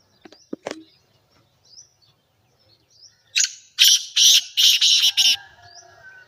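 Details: Black francolin gives a harsh, scratchy series of five or six rapid grating notes, the last ones run together. A few sharp clicks come first, and faint thin whistles follow in an otherwise still setting.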